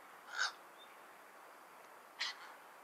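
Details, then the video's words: A cattle egret gives two short, harsh croaks about two seconds apart, rasping and crow-like, over a faint steady hiss. "Cattle egret call"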